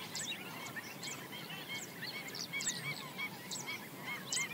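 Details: A busy flock of black-winged stilts foraging along the banks of a swamp: sharp, nasal yapping notes overlap in quick bursts, several per second, over a steady background hiss.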